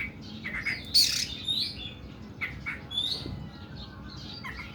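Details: Oriental magpie-robin's long, harsh 'nembak' singing: a loud rough burst, then sweeping whistled slurs and scattered scratchy chirps, tapering off.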